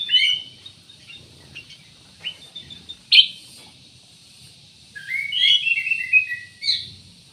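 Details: Black-naped oriole giving scattered high chips and one sharp note, then a descending warbled phrase and a final short burst.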